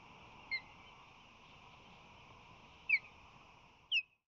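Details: Osprey at a San Francisco Bay nest in March 2020, where the male flies in carrying fish. Three separate short, sharp whistled notes, each dropping in pitch, are spaced about a second or more apart over a low steady hum.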